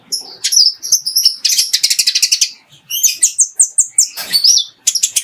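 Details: Van Hasselt's sunbird (Leptocoma brasiliana), song.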